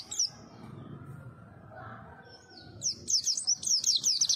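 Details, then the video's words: White-eye (pleci) giving a brief high note, then a burst of quick, sharp, high-pitched twittering notes in the last second and a half, over low background rumble. "Kicau merdu si burung PLECI - si kecil suara cabe rawit"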